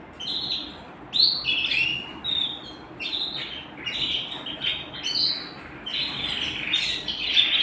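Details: Canary singing at home in short bursts of bright chirps and whistled slurs, irregular phrases rising and falling with brief pauses between them.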